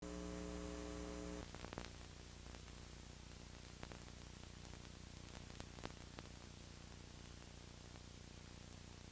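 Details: A brief steady tone opens, then steady static hiss follows, broken by scattered sharp clicks, with no animal voice.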